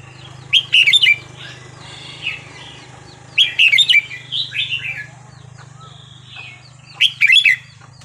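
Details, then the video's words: Red-whiskered bulbul giving Burmese song, 3-4-5-6 style, for teaching young birds: a short, loud chirped phrase repeated three times about every three seconds over a constant low hum and a busy background chorus. "นกกรงหัวจุกเพลงถิ่นพม่า 3-4-5-6"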